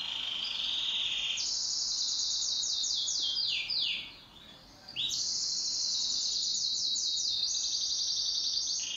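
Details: Duet song from a pet canary: long, loud trilled phrases with quick descending sweeps, broken by a short pause before the rolling trill resumes at full strength.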